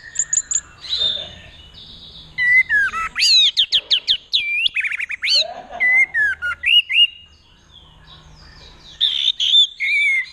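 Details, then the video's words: A captive orange-headed thrush from Mojokerto, handled by a young boy and performing the "teler" display linked to courtship, sings loud, varied phrases of clear whistles, rapid chattering notes and sweeping slurs, in bursts with brief pauses. "Anis Merah Teler Gacor"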